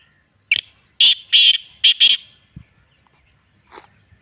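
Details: Natural Black francolin recording for stirring captive birds into calling: one sharp opening note, then two pairs of grating, buzzy notes, followed by a faint thud and a soft distant call.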